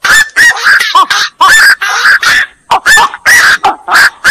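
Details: Rapid series of rough, nasal croaking calls from black-crowned night herons, a few notes with a bending, arched tone, packed closely over a few seconds.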